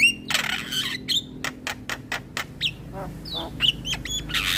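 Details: Javan myna song as a lure for starlings: a noisy squawk opens, followed by a series of sharp clicks, then whistled slurs and a final raspy burst over a low hum.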